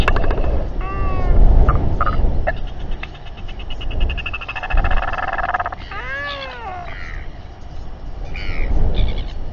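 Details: Royal albatross calls from a New Zealand colony, evening of 27 January 2021, during a stressful gathering and fight. Loud, rich, arching wails and moaning notes rise and fall, with scattered squawks, over strong wind roar.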